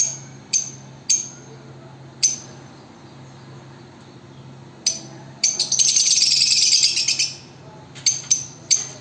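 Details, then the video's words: Lovebirds give sharp, high shrieking chirps, singly or in quick bursts, then a dense two-second run of rapid chattering, over a faint low hum. "sound of love birds"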